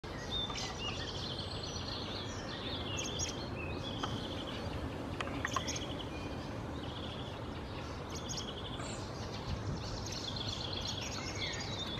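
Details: Fieldfare adult foraging on the ground in Helsinki, Finland, in June 2024, followed by its vocalizing fledgling: thin, high chirps and short squeaky notes repeated throughout, over a steady low rumble of background noise.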